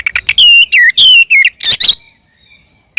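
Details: Oriental magpie-robin singing ngeplong tarung, a fighting song used to make other magpie-robins answer: loud, sustained whistles falling in pitch, then rough buzzy notes, a pause and one last short note.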